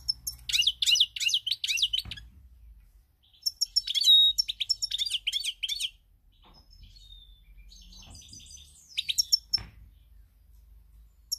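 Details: European goldfinch, 7 March 2021, delivering bursts of liquid, high twittering: a rapid rolling phrase, a pause, another jangling sequence, then softer scattered notes and a final short flourish, with faint low background rumble.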